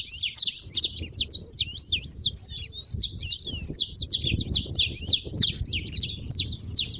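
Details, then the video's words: At a feeder, saffron finches keep up rapid, irregular high-pitched chips and slurred tweets, about two or three a second, crowding together in a lively chorus above a soft low hum. "canário da terra fazendo barulho na seva"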